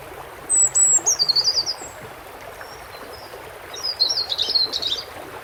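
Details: European robin song against continuous water sound: two separate high, thin phrases a few seconds apart, each opening with a sharp whistled note and breaking into rapid twittering notes.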